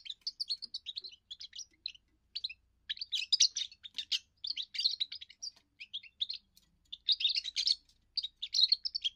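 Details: European goldfinch, a young bird with its first song, which declares territory and attracts females: lively, jangling twittered phrases with short gaps, fast chattering notes and bright trills throughout, with faint low hum beneath.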